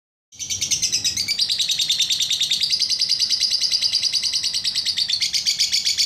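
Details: Lovebird giving a long, rapid, steady stream of high chirps that starts abruptly after a brief silence, the pulses evenly spaced and continuing without a break to the end, pitch shifting slightly upward partway through.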